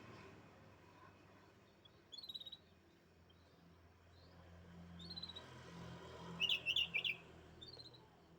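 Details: Canary billed as a champion songbird, giving short bursts of four or five quick high chirps spaced a few seconds apart, the loudest burst near the end, over a low steady hum.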